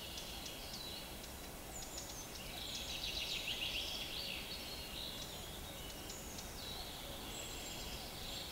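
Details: A Eurasian wren sings in Niezgoda, Poland, on 25 June 2022: a rapid, high, trilling burst of song over steady rushing background noise, with a few thin chips before and after.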